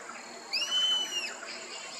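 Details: Rusty-margined flycatcher on the edge of the dam at Parque Quineira, Chapada dos Guimarães, Mato Grosso, Brazil: one drawn-out, arched whistled note lasting under a second, rising then falling, over a steady background hiss.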